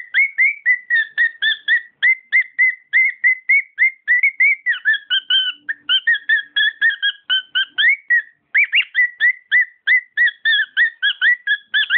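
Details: Pet cockatiel singing a long, rapid run of short whistled notes, many rising or looping, tumbling along at a brisk, uneven pace with brief pauses; no other sounds.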